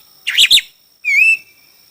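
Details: Chinese hwamei during a singing contest: two quick, bright chirped notes, then a single sustained whistle that rises slightly and holds steady before stopping.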